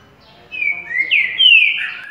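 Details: Green-winged saltator singing its currucutil boi style song at waking: a loud, clear whistled phrase of slurred notes, some falling and some rising, ending on a long, bright downslurred whistle over a quiet background.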